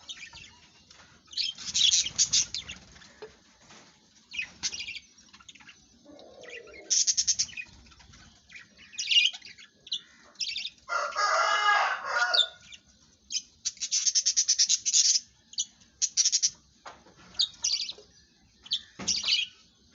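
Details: Australian budgerigars kept for breeding chatter in quick, scratchy high chirps and warbles, with a brief burst of wing flapping.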